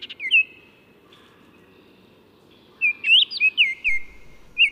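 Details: Baltimore oriole (Icterus galbula) song: a short whistled note opens, then after a pause a run of full, fluty slurred whistles, some swooping upward, delivered in a rapid uneven phrase over low steady background noise.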